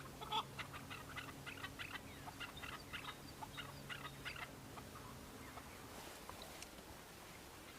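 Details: Several male Chukar partridges on Bamo mountain, Kurdistan, fighting and displaying in breeding season; a flurry of quick chucking notes fades after about four seconds into quieter background with a low hum.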